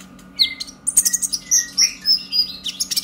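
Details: Excited, chattering song of a captive young purple-throated sunbird with a brown breast, played to set other birds singing: a fast stream of very high squeaky whistles and slurred notes with few gaps.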